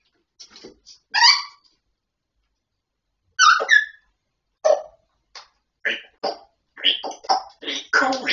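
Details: Grey parrot talking indoors: short clipped syllables and squawky speech-like sounds, sparse at first and then coming faster in a busy run of mixed bursts near the end.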